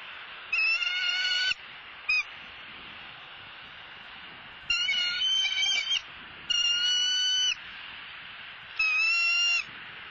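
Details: Wild female bald eagle at a Southwest Florida nest, squawking as she flies right behind the male delivering a whole fish: four harsh, harmonic bursts about a second long, spaced a few seconds apart, with a short chip between the first two.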